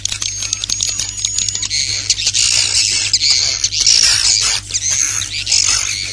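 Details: Swiftlet roosting lure of the 'inap plus' internal type, in a voice character said to please swiftlets. Harsh, buzzy, high twittering bursts pile up continuously alongside sharp clicks, with a steady low hum throughout.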